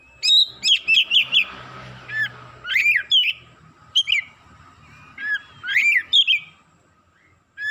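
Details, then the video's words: Oriental magpie-robin, worked up and unloading its learned song repertoire, gives scattered bursts of sharp, varied whistled notes and chirps, separated by quieter gaps with faint low background hum. "KACER NAIK EMOSI BONGKAR ISIAN"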